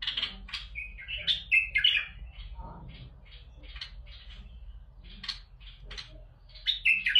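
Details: Bulbul singing to encourage other bulbuls to sing: lively clusters of chirps and squeaky warbled notes, loudest at the start and the end, over a faint indoor hum.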